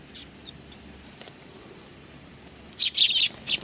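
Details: Sparrows coming to be fed at a Tenmangu shrine on 18 August 2020: two short high chirps early, then a dense burst of bright overlapping chirps near the end.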